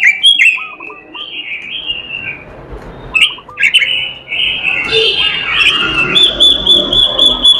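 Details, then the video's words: An oriental magpie-robin sings on and off for over seven seconds: drawn-out whistled phrases, sharp upward flicks, lower repeated chirps, and a late stretch of rapid, evenly spaced high notes. "robin suara merdu gacor isihan"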